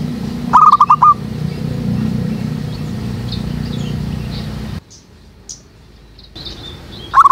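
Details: Zebra dove call used as a trapping lure at a jackfruit tree behind a house; a brief burst of rapid cooing notes early, steady low engine-like rumble, a quiet stretch, then another coo at the end.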